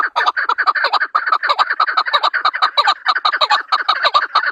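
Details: Chakor or chukar partridge, Pakistan's national bird, giving a loud, dense chorus of harsh chuck-chuck notes, overlapping and rapid, with raspy accents, continuous throughout.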